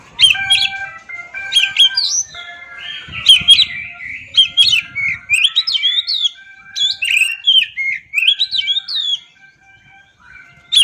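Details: Oriental magpie-robin in an original-voice song recording: a rich, varied run of sweet whistled notes, sharp chirps and rising and falling slurs, fast phrases packed closely over ten seconds with brief pauses, clear and loud.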